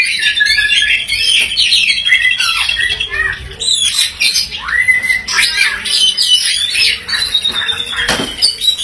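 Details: Green leafbird song meant to spur a white-rumped shama into rolling song: a long, varied medley of squeaky chatters, clear whistled slides and sharp notes with barely a pause.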